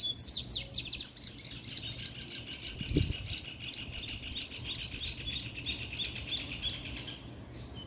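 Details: Fiery male double-collared seedeater singing a puxada song: a dense, continuous stream of high, fast chirps and trills running the whole time, with a short low knock about three seconds in and faint background hum.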